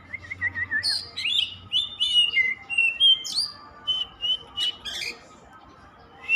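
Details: Oriental magpie-robin (kacer) in nonstop song, opening with a wavering warbled phrase, then mixed whistles, rising slurs and clicky chips, ending in spaced single notes.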